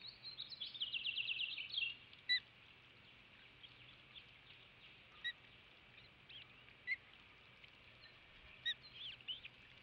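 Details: An Osprey at a nest about 80 ft up beside a salt marsh on Skidaway Island, Savannah, Georgia, on 11 May 2017, as the male delivers fish to the family. It gives a quick burst of high, thin whistled chirps, then scattered single chirps over a low hum.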